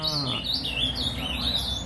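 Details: Ultramarine grosbeak, a brown-plumaged captive bird at a breeder's, singing a quiet 'trovão' subsong: continuous soft, high warbled twittering with wavering, slurred notes and no pauses, over a low room hum and a faint voice at the start.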